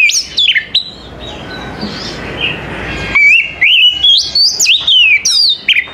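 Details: Oriental magpie-robin heard in the morning, delivering high, varied whistles with steep upward and downward sweeps. Notes come in a lively, irregular stream, with a brief quieter gap filled by faint chatter.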